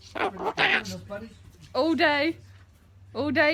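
A corella gives short, voice-like harsh phrases in bursts about a second apart, imitating human speech, with rasping, cough-like sounds between them.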